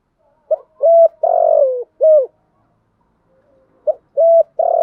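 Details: Spotted dove lure calling, styled as thúc gù and gáy gọi and used to provoke wild doves: low mellow coo phrases, a short note, a clipped coo, a long falling coo and a final coo, then a pause before the next phrase.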